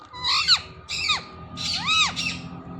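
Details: Parrot squawks: three or four loud, rising-then-falling ringing calls spaced about half a second apart, over a faint low background hum.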